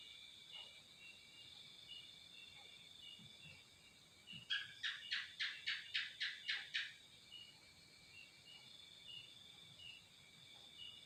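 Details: Greater green leafbird song aimed at provoking other leafbirds: a burst of about nine evenly paced, bright chirps over two seconds, standing out above a steady background hum of insects.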